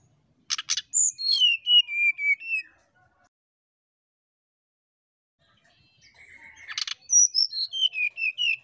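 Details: Brown-chested jungle flycatcher whistling in nyuling style to provoke a rival: two bouts, each opening with a clicky burst followed by a quick cascade of sweet whistles sliding downward, separated by silence.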